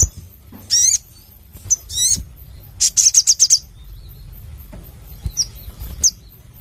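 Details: Crimson sunbird singing vigorously with a clear voice: high rising slurred whistles, then a quick burst of five or six sharp repeated notes, followed by a few isolated thin chips.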